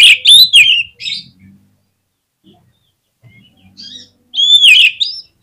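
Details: Oriental magpie-robin lure song for provoking others to sing: a loud burst of chirps and descending whistles, quiet gap with faint low murmurs, then a clear rising-and-falling whistled phrase.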